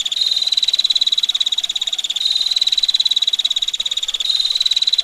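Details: High, rapid ticking from a female bar-winged prinia, the ngetir style, running without a break for five seconds in slightly louder and softer stretches, set against a soft watery hiss.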